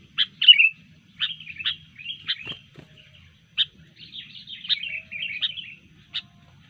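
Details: A disturbed sooty-headed bulbul in fighting mood sings lively slurred whistled phrases and sharp chips, loud opening notes then a run of warbled bursts, with a faint low background hum.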